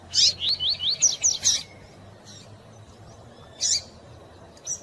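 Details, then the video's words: Rapid tuí-tuí song of a double-collared seedeater, a bird favoured by breeders for fibra tournaments: a burst of quick rising whistles and buzzy chips lasting under two seconds, followed by two separate high chirps. "Coleiro tui tui rápido e piado de fêmea pra esquentar seu coleiro"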